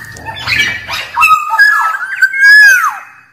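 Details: Wild black-naped oriole singing to call out rivals: a low rumbling noise at first, then fluty whistles gliding between mid and higher pitch, ending in a long slurred note that drops away.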